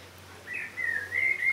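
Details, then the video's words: Common blackbird (Turdus merula) song phrase: smooth, rich fluted whistles held at a steady mid pitch, delivered in three connected sliding notes with no other sound present. "Blackbird song - Turdus merula - შავი შაშვი"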